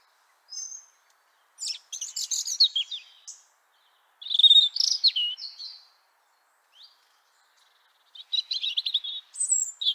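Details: European robin in Liepāja, Latvia, January 2023, singing separate high phrases with pauses between: thin whistles, rapid tinkling trills and twittered runs, each phrase lasting one to two seconds, otherwise quiet.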